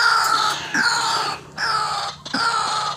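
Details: White-breasted waterhen (ruak-ruak) calling hard, as used to lure birds for trapping: loud, harsh, harmonic croaks, each slightly falling and under a second long, repeated about four times with short gaps, against faint background noise.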